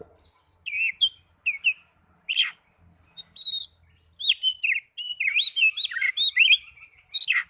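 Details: Young Oriental magpie-robin, kept for song training: separate high whistled and chirping notes that build into a rapid varied warbling run of slurred, rising and falling phrases.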